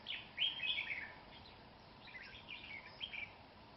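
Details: Red-whiskered bulbul, trapped by fighting a rival, very fast and fierce, on a cold windy day at the start of the cold season; bright warbled chattering phrases, one loud burst near the start and another about two seconds later, over steady background hiss.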